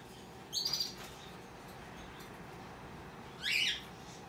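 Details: Hand-tame opaline rosy-faced lovebird chick, recorded 20 December 2021, giving two short, harsh, high chirps about three seconds apart over a quiet background hum.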